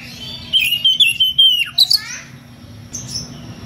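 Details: Oriental magpie-robin singing in the clear ngeplong style to call a rival: a run of loud whistled notes with sliding pitch and a quick downward swoop, then two short high notes after a pause, over a faint low hum.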